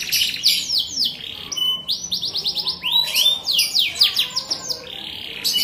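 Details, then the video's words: Canary in full song, packing dense buzzy trills, fast-repeated descending whistles and short level tones into a continuous, varied high-pitched stream. "金丝雀 कनारी bird canary burung kenari bernyanyi चैंपियन कैनरी"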